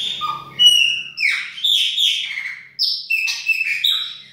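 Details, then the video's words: Chopi blackbird singing in the 'baianinho' style indoors in a kitchen: a run of clear whistled notes and slurred, varied phrases, some rising and some dropping, broken by short pauses. "PÁSSARO PRETO BAIANINHO DA UMA PALHINHA NA COUZINHA !"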